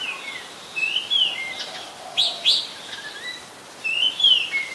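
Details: Oriental magpie-robin in Ubon Ratchathani, Thailand, 24 December 2020, recorded with a Nikon P1000: clear rising and falling whistles, then two quick sharp notes near the middle, then more sweet slurred whistles.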